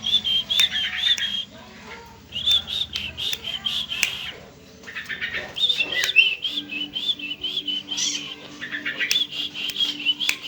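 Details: Young long-tailed shrike singing: bright chattering and whistled notes in quick bursts, pausing briefly near the middle and then resuming in rapid repeated phrases, with a faint steady low hum underneath.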